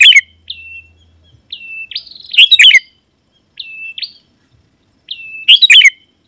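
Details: Sooty-headed bulbul singing to lure wild birds of its species: level whistled notes with upward flicks alternating with loud bubbly chirp bursts, a faint low hum early on.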